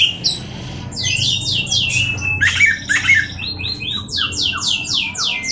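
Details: Oriental magpie-robin delivering a fast series of harsh, buzzy, downslurred notes repeated about twice a second, mixed with scratchy chatter, over faint low hum.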